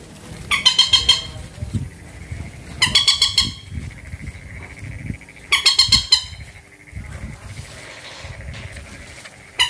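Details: Bird known locally as bantiung, mandar or peruk: three loud bursts of rapid, harsh, nasal pulsed notes spaced about two and a half seconds apart, over a steady low rumbling background.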